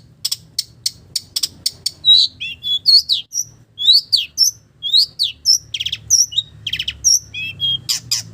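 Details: Long-tailed shrike singing a varied mimicking song copying village birds: rapid high ticking notes, then loud whistled slurs, downward sweeps and buzzy trills, dense and continuous throughout.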